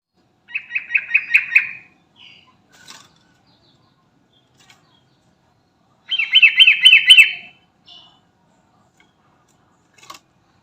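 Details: Sooty-headed bulbul calling to companions: two bursts of rapid bubbly chattering notes, each about a second long, with a few short faint chirps between them.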